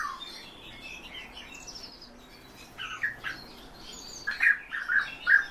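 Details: European bee-eaters kept as birds in captivity: after a quiet start, short rolling, liquid trilled calls come in a loose series, bunched toward the end, with faint higher chirps in the background.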